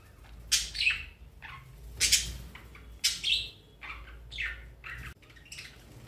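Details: Pet rainbow lorikeets fighting indoors: a series of about six loud, harsh, grating screeches, each short and rasping, coming at irregular intervals of roughly a second, with brief quiet gaps between bursts.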